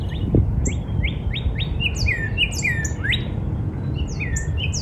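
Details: Northern cardinal singing in a spring backyard, a series of slurred whistles, some rising and some falling, with high chirps from other birds scattered above.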